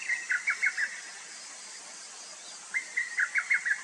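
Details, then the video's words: Lesser cuckoo, a summer migrant that calls persistently from spring while hidden in branches, singing two rapid phrases of about six sharp staccato notes that fall and waver, separated by a pause, over a steady high insect hiss. "두견이 새소리"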